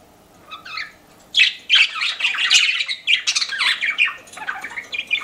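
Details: Pet budgerigars kept indoors: a faint early chirp, then a lively stream of scratchy squawks, buzzy warbles and bright chirps in uneven bursts, roughly three per second.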